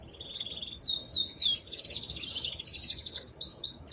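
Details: Excited male canary singing strongly to stimulate the female to mate: a quiet steady trill, then loud downward-sliding whistled notes, then a fast buzzy roll of high notes ending in rising chirps.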